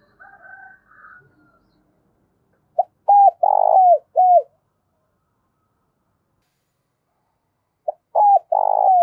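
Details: Spotted dove cooing to stir other doves to call: two phrases of low, mellow coos, each a short note and a clipped double note followed by a long, drawn-out hooting coo, separated by about four seconds of silence, with a faint higher note at the start.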